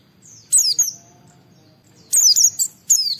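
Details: Oriental white-eye in lively 'gacor' song, a challenging bird played to lure other white-eyes into answering and singing. Bright, high whistled notes sliding downward, mixed with rapid twittering chirps, delivered in short bursts separated by brief pauses.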